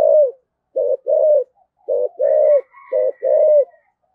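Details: Spotted dove used as a decoy, in the local voice style, gives urging coos and a calling crow with a double ending: a steady series of deep, paired coo notes, with a faint higher tone drifting behind the middle phrases.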